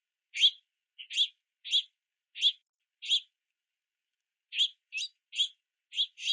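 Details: Young house finches begging for food at a backyard platform feeder in the rain, giving short harsh chirps in bursts, about ten notes with a gap in the middle, no other sounds.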